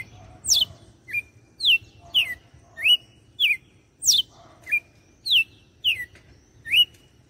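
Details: Red-cowled cardinal from Fortaleza, Ceará, singing in the açoite style: sharp whistled notes sliding down and up, roughly one every half second, some sweeping steeply downward, over a quiet low background hum.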